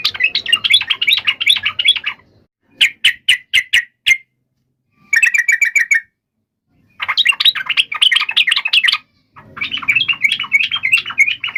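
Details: Yellow-vented bulbul fighting song used to provoke other birds into answering: alternating bursts of dense chatter and runs of sharp clicking chips, with short silences and a faint low hum.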